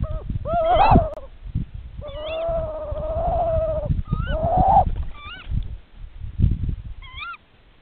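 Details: Tawny owl partners calling to each other at the nest during a nest check: loud, drawn-out wavering hoots overlap with several sharp ke-wick calls, followed by more ke-wicks and low rumbling noise.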